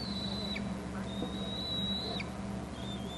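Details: At a Hornby Island bald eagle nest, an adult brings food to eaglets that show little interest; two drawn-out, thin, high whistles, each snapping downward at the end, ride over a constant low droning hum.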